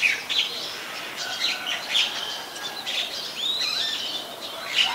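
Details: White-vented myna in Ubon Ratchathani, Thailand, on 29 December 2019: harsh chattering notes and short whistles mixed together, with a few sliding whistled phrases near the end against a soft outdoor hiss.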